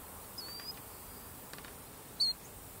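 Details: Least sandpiper at Cane Creek Park, Union County, North Carolina, in August 2019, giving a faint, thin high whistle, then one short, sharp, high-pitched note near the end, over a soft steady hiss.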